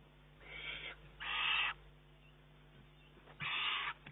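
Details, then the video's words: Juvenile Eurasian eagle-owl begging food from its mother on 19 June 2011, though able to feed itself with prey present; three harsh, hissing screeches, each about half a second, over a steady low hum. "oehoe kuiken met de broek aan"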